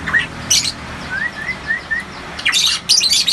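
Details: Loud-voiced Variable pitohui from Papua: four clear upslurred whistles evenly spaced in a row, framed by dense harsh chattering bursts at the start and end.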